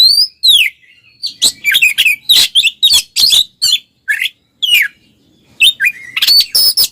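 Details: Two Oriental magpie-robins singing a continuous ngeplong song, used as a lure to provoke silent birds into singing: rich, varied whistles, slurred notes and scratchy trills in quick bursts, with short pauses between phrases.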